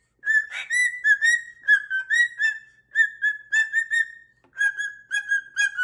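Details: Pet cockatoo whistling a happy little tune while dancing indoors: clear, mid-pitched whistled notes, mostly short and evenly spaced, some gliding up or down, in a steady run with a brief pause near the end.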